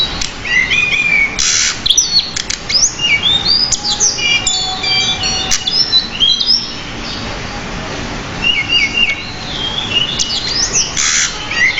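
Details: Pied bushchat singing a long, varied 'gacor' training song full of fill-in phrases. Fast sequences of whistled slurs and chirps come in waves, with short pauses and a faint low hum throughout.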